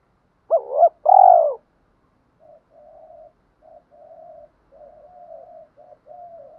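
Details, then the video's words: Spotted doves, male and female decoy birds, cooing to provoke rival doves into fighting coos: two loud, low, hollow coo phrases, then a quieter run of six softer, even coo notes with short gaps. "Tiếng chim cu mồi thúc đấu/ chim cu gáy kích bổi nhanh nổi gù đấu lại/ chim cu cườm thúc rút bổi"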